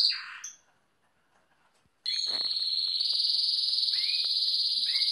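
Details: Aviary group of original Spanish Timbrado canaries: a brief trill fades into quiet, then a sustained, loud, steady high rolling trill with faint lower notes underneath.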